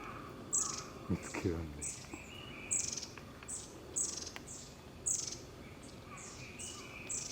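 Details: Long-tailed tit calls recorded on 21 May 2022: very high, thin, short notes repeated roughly every half second to second, with softer lower chirps between and a brief low sound early on.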